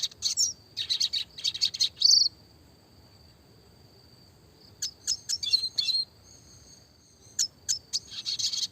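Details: Red siskin in clear, classic lively song, 'roll tembak' style for small-bird training: a dense twittering burst, a long quiet stretch with a faint steady whine, then more high chips and twitters.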